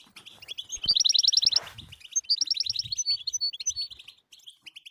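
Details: European goldfinch, betbeta song with tastasa twitters for waking silent goldfinches into song: a loud rapid trill around the first second, a brief rustle, then lively buzzy twittering phrases tumbling one after another.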